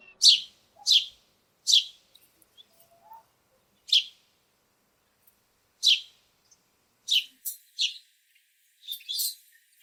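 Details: Noisy house sparrows visiting a backyard give loud, sharp chirps, singly or in quick pairs, with irregular gaps of about one to two seconds; about eleven chirps over ten seconds against an otherwise quiet background.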